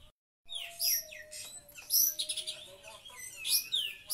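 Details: An Oriental magpie-robin (Copsychus saularis) sings loud, bright chirps and sweeping whistles in quick bursts.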